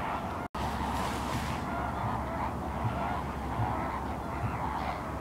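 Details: Salt lake at Larnaca, Cyprus, where a flamingo gathering keeps up a thick babble of gabbling, goose-like honks after a brief cut at the start, with a deep wind rumble below.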